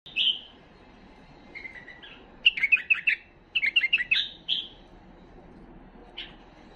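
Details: A tame Himalayan bulbul sings bright, bubbly whistled phrases, some quick runs of five or six chirpy notes, separated by short pauses over a faint steady hiss.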